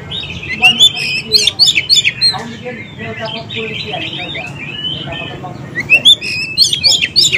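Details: Oriental magpie-robin song meant to coax silent or newly caught birds into answering; quick chattering notes and rising whistles in repeated bursts, with quieter gliding phrases in the middle.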